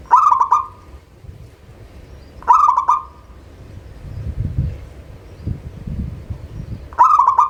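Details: Local zebra dove recorded as a lure for reluctant singers: three rapid rattling bursts of clipped coos, each trailing into a short level tone, spaced about two and a half seconds apart, with soft low rumbles between.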